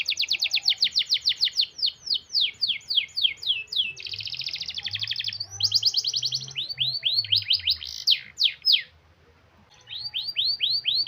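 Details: Canary in full rolling song intended to stimulate silent canaries: a long run of rapid downward sweeps, a dense buzzing trill, looping rising notes and loud slurs, a second-long pause, then more quick sweeps; faint low hum.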